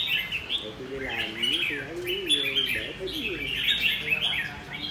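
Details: Red-whiskered bulbul in the "ché" style: rapid, tinkling high warbles delivered in repeated phrases over a man's speech in the first half.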